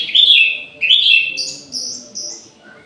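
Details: Orange-headed thrush singing at midday in an aviary: two loud phrases of rich, slurred whistles with rapid warbled notes, followed by softer, higher fading notes.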